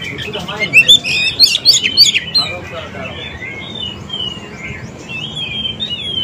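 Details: Oriental magpie-robin song used to make silent or newly caught birds respond; bright rising whistles and rapid chattering in the first half give way to softer drawn-out warbles.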